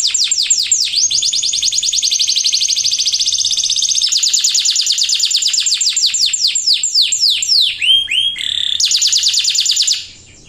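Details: Lively canary singing to coax other birds into song: a long sequence of fast rolling trills built from repeated sweeping notes, steep whistled swoops and a buzzy note near the end, then a final rapid trill.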